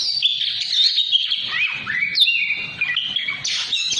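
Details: Oriental magpie-robin singing 'ngobra patah' style as a tutor recording for other birds; rich high warbling with clear sliding whistles, one phrase rising sharply, then a burst of scratchy chatter near the end.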